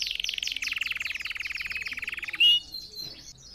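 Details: Song of a red factor canary, played for training other birds to sing: a rapid, even trill of repeated notes for over two seconds, then a brief bright whistle and softer notes.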